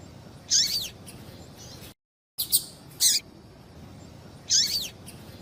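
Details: Female double-collared seedeater calling, a call used to excite males and stimulate their singing: sparse high chirps with falling hooked tails, a brief gap of silence in the middle, and a steady soft background hiss.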